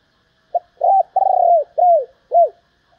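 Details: Female spotted dove calling to stimulate males: a brief note, then a run of four mellow coos, the middle one long and slightly pulsing, the later ones short and downward-arched.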